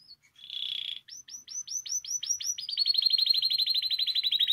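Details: Canary singing, used to stimulate other canaries to sing: a steady buzzy note, then a series of rising whistled slurs that speed into a fast rattling trill near the end.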